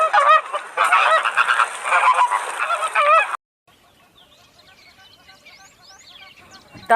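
A flock of flamingos gives a dense chorus of nasal, goose-like honks for about three seconds, then breaks off to faint, scattered chirps of other birds.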